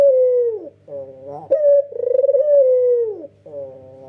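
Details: Red-eyed white male Barbary dove in a clear, sharp nodding coo: a falling coo tail, a soft wavering passage, then a pulsing sustained coo with a bright start that slides lower, followed by quieter notes.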